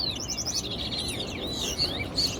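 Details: At a Towa Towa bird singing competition at Guyana National Stadium, a Chestnut-bellied Seed-Finch sings a fast, warbling run of sweet twittered notes while its songs are counted aloud, with a few clear high whistles near the end over a low rumble.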